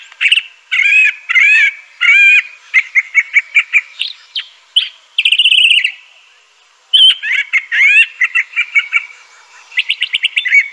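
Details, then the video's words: Crissal Thrasher (Toxostoma crissale) sings a varied, rich run of phrases: slurred whistles, quick rattling trills and buzzy notes, each phrase often repeated before switching. "Crissal Thrasher bird song."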